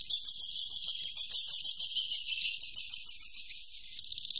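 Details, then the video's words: Roosting call of swiftlets as a fast, even, high-pitched trill of tightly packed chirps, pulsing roughly three times a second, in a clean, quiet setting. "Suara Inap Walet"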